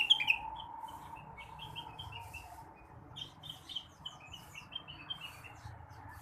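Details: Morning song of a blue-winged leafbird used to stimulate other birds: one loud sharp note opens, then a long quiet stream of soft, rapid twittering and short whistles over a steady hum.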